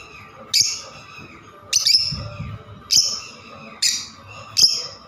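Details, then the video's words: Five piercing high chirps from a lovebird, roughly one each second, with a brief low rumble between the second and third. "love birds beautiful sound"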